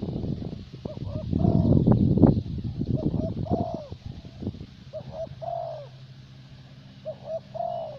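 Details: Spotted dove used as a luring decoy in Vietnam, the favoured 'thổ bầu' type: repeated low mellow coo phrases, each short notes ending in a longer note, first half masked by rustling and knocking.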